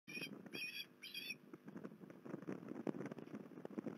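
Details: Osprey at Port Lincoln on 21 December 2020 giving three quick whistled, harmonic-rich yelps in the first second and a half, then only a steady crackling patter of background noise.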